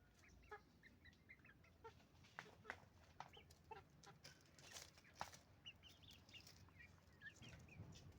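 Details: Roosters and hens at a chicken farm: scattered short clucks and squawks from many birds at some distance, with sharp clicks and knocks over a low steady hum.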